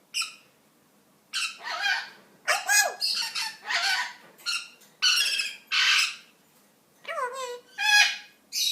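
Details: Two pet Eclectus parrots chatting indoors: a run of harsh, buzzy squawks and short whistled notes, some sliding down, in bursts about a second long separated by brief pauses.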